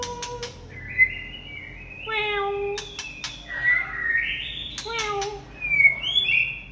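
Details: Late-afternoon song of a white-rumped shama: drawn-out whistled phrases with rising and falling slurs, lower steady notes, and a few sharp clicks, fairly soft overall.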